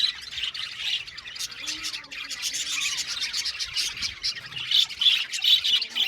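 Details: Australian budgie colony in an aviary: rapid, overlapping chirps and warbles, with a few lower sliding whistled notes beneath the constant high chatter.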